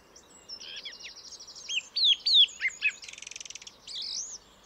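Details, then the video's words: Song thrush in full song: scratchy twitters, loud downslurred whistles, then a fast buzzy rattle and a final looping whistle. "Vogelstimmen: Die Singdrossel - Song thrush - Turdus philomelos"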